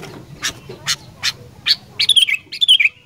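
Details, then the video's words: Sooty-headed bulbul song used to stimulate other bulbuls to sing: four evenly spaced harsh, noisy chirps, then a quick run of clear whistled notes that slide and warble before ending. "KICAUAN KUTILANG INI CEPAT MERANGSANG KUTILANG LAIN, DIJAMIN LANGSUNG BUNYI"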